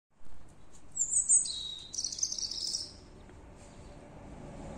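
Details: Unidentified bird singing at three in the night, heard on the way home: two bursts of very high, thin, trilled and twittering phrases over about two seconds, then quiet with a low background rumble.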